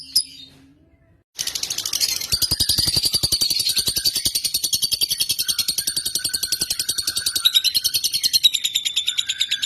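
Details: Indonesian lovebird: after a brief chirp and a second of quiet, a long, rapid buzzing trill starts and runs on, with occasional lower whistled notes woven underneath.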